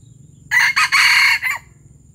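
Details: Junglefowl (ayam hutan) from Palembang, its crow described as gerabas: a brief, loud four-part crow, with a short first note, a clipped second, a long ringing third and a short falling tail. A steady low hum sits behind it.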